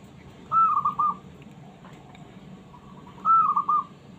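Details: A small zebra dove sings to challenge other doves to reply. Two clear phrases, each a short rising whistle followed by a few rapid rolling notes, are separated by a quiet pause against faint background hum.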